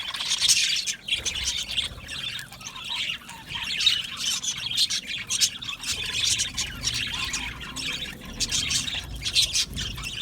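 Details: Budgerigar colony in an aviary chattering: repeated bursts of high squawky chirps and warbles roughly every second, overlapping from many birds.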